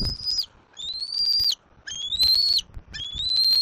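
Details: Four long, strained squeals from a young bald eagle on its Southwest Florida nest, mantling over a fish brought by its father; each cry slides upward with a rich harmonic edge, separated by short pauses.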